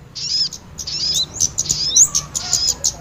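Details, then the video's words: Small-bird trapping lure of kemade and sogon calls: high, somewhat buzzy twittering with quick slurred whistles and scattered sharp chirps, growing busier toward the end. "Pikat burung kemade kombinasi Sogon"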